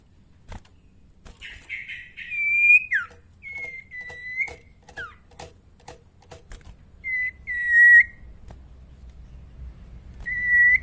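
Common iora giving clear, drawn-out whistles, some steady and some sliding down, in short bursts. Sharp clicks and a low background rumble are also heard.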